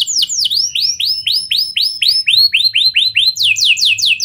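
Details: Canary singing constantly in a lovebird and prenjak style, used as a lure to get other canaries singing long. A series of loud swooping whistled notes about four per second ends in quicker downslurred notes.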